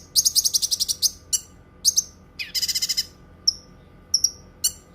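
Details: Cucak kinoi singing: a fast burst of sharp, high chirps repeated about ten times, then short buzzy trills and isolated thin whistled notes spaced by brief pauses, all very high-pitched against a quiet background.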